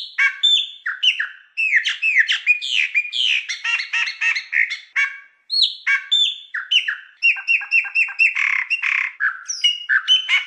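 A Chopi Blackbird sings a rich, continuous run of liquid whistles, clucks and buzzy chatter, phrases tumbling quickly with brief pauses; nothing else is heard.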